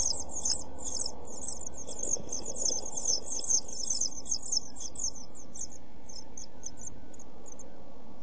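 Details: European pied flycatcher chicks, seven days old, in a nest box, recorded by a nest box camera on 23 June 2012: dense, very high, thin chirps in rapid overlapping series for about five seconds, then sparser and fading, over a steady low rumble.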